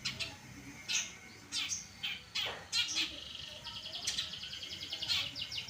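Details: Caged long-tailed shrike of the Pastol type giving tutor song for other birds: scattered sharp, high chips and squeaks, then a fast, even trill of rapidly repeated high notes near the end.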